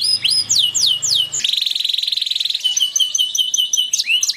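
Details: Agitated canary singing loudly: rapid repeated downslurred whistles give way to a long, fast, buzzing rolled trill, then a steady series of quick high pulsed notes. A low hum fades out early on.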